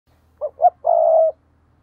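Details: Decoy spotted dove calling in the thúc and gáy gọi style: two short soft coos, then a long, even, purring croo, low and clean with no other sounds.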